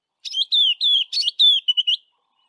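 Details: White-browed scrub robin (Cercotrichas leucophrys) singing west of Grahamstown: a quick, clear whistled phrase of about eight slurred, high, slightly falling notes in under two seconds, repeated over and over with slight variations.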